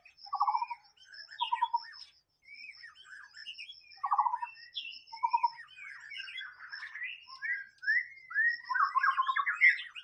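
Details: Wild white-rumped shama singing a rich, varied run of whistled phrases: low, fluted notes alternate with quick rising and falling sweeps and trills, with short pauses between, over a steady high thin tone running throughout.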